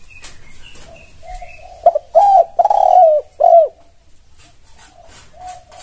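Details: Spotted dove cooing, offered as a lure recording that makes spotted doves answer: three loud, husky, rounded coos in quick succession, with softer coos before and after and faint high chirps from other birds.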